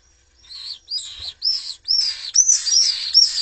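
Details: Common swift chicks in a nest in Jerez de la Frontera, Spain, assaulted by an intruder while the adults are absent: a series of sharp, rising, high screechy notes, growing louder and merging into dense, wavering shrieks toward the end.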